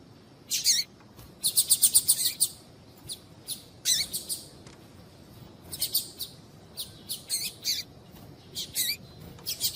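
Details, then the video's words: Captive double-collared seedeater (coleiro tui tui) female calling so a cold male will start singing: rapid rattling groups of very high, thin chirps alternating with shorter single tweets and brief gaps. "Esquentar Coleiro Tuí Tuí Com fêmea Chamando"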